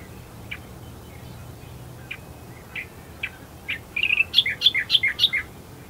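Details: Australian reed warbler calling amongst reeds at first light, Herdsman Lake, Perth, Western Australia: a few spaced sharp notes, then a quick burst of loud, rich chirps repeated several times a second, with faint low background hum.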